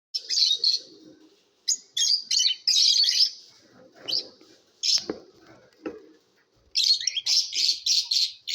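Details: Lovebirds chirping in competition: clusters of shrill, buzzy high chirps in rapid bursts, broken by short pauses filled with faint lower rustling and knocking sounds.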